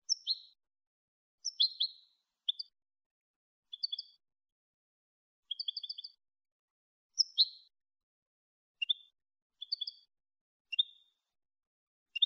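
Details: European goldfinch singing a clean Malagueño-style song, from a recording for tutoring goldfinches: short bright twittering phrases and brief trills, separated by pauses of about a second, over silence.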